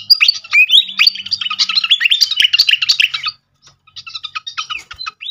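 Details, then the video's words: Fantail flycatcher singing, used as a lure to set other birds singing: a fast, crowded stream of high chirps and slurred whistles for about three seconds, a short silence, then scattered sharp chirps ending in a rising whistle. "pancingan khas burung srikatan kipas"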